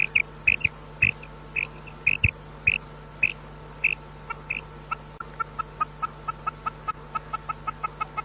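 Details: Female common quail call, used as a lure for hunting quail in ripe wheat: paired high notes repeated about twice a second, then a faster run of clucking notes, over a steady low hum.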